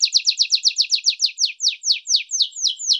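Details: Domestic canary (Serinus canaria), known as canário do reino, in first-type song: high, falling notes delivered fast at first, then spacing out into slower, clearer downward slurs over three seconds.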